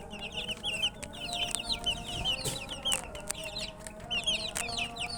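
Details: Chickens' chicks thirsty for drinking water, cheeping in a steady stream of high, downward-curving chirps from many birds, punctuated by a few sharp clicks and knocks.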